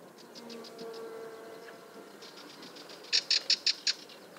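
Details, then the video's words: A Sardinian warbler gives an alarm call: five hard, dry ticking notes in quick succession near the end, after softer rattling ticks and a faint low hum. "קול אזהרה סבכי שחור-ראש"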